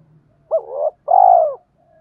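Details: Spotted dove kept as a decoy, giving the 'gáy gọi - thúc' call meant to attract wild doves: one two-part phrase, a brief rising coo sliding into a wavering note, then a long, smooth, loud coo.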